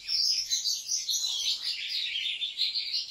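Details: Continuous liquid twittering from a European goldfinch kept by a Turkish breeder: quick, jangling, high-pitched notes with occasional buzzy trills, flowing without pause across the whole stretch in a quiet indoor setting.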